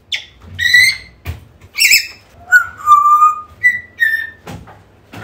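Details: African grey parrot calling to draw a lost bird back: a varied run of short clicks, hoarse squawks and mid-pitched whistles, some held flat and some dipping, roughly one sound every half second.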